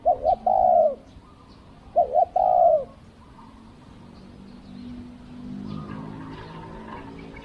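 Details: Decoy spotted dove used for luring wild doves: two cooing phrases, each a short double note then a longer falling coo, followed by quiet background rumble.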